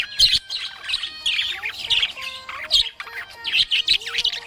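A budgerigar chirps and warbles in a rapid, busy stream of high twittering notes.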